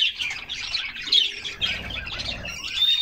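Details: Several canaries enjoying a summer bath give quick bursts of high chirps and trills, broken into short clusters, with a clear thin whistle at the very end.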